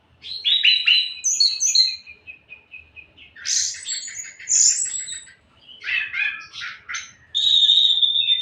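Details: Orange-headed thrush in full, vigorous song: a rich, fast medley of high whistles, twittering trills and buzzy chatter, changing phrase every second or two and ending in a sustained shrill whistle.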